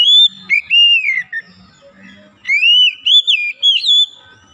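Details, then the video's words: Oriental magpie-robin (kacer) singing, from efforts to revive a lazy singer: two long whistled phrases, each gliding up and then curling down, separated by a pause with a faint low hum behind. "KACER YANG MALAS BUNYI JADI GACOR"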